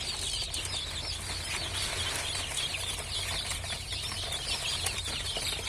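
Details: Newly hatched domestic chicks, just beginning to hatch, peep as a dense, continuous chorus of high, thin cheeps overlapping without pause, over a steady low machine hum.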